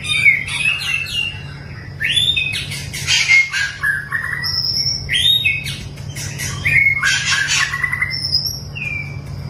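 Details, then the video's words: White-rumped shama, long-tailed type, in training for mental toughness, pouring out rich whistled and rising phrases mixed with harsh rattling bursts, a constant low hum beneath. "melatih mental burung murai batu ekor panjang"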